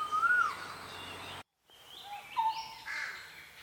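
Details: Forest birds in Sisaket, Thailand: a bright slurred whistle, a brief break, then several overlapping whistled and warbled phrases of varied pitch.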